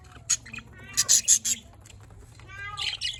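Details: Cute, happy pet budgies from Larkana, Sindh, giving short bright chirps and a burst of rapid harmonic warbling notes, with a second run of warbles near the end, over a faint low hum.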